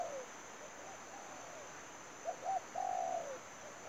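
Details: Spotted dove used to lure wild doves into a trap: tail of a falling coo, faint distant cooing, then a clear phrase of two short notes and a long level coo ending downward; insect hiss throughout.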